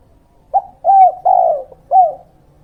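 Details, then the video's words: Spotted Dove lure recording in the 'kuk 2' style, played to attract wild birds and train young birds. One short soft note leads into three fuller, slightly downslurred coos, the middle coo longest, over a quiet low hum. "Pancingan Burung Tekukur dan Derkuku Kuk2"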